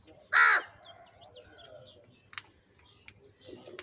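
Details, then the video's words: Crow crying loudly amid fighting and eating, giving a single short, rough caw at the start, followed by quieter twittering and scattered clicks. "Crow crying continuously and Fight - Crow eating and feeding Salty - Crow Sound Loudly"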